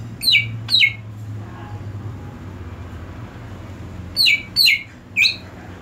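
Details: Greater green leafbird, part of a therapy to restore singing in a bird gone silent: high whistles that drop steeply in pitch. Two come close together, then after a pause three more in a quick row, over low background hum.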